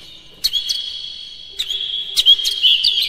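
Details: Oriental magpie-robin song used as a lure so other kacer sing and display: a steady high whistled tone punctuated by sharp chips, becoming a busier sequence of bright notes near the end.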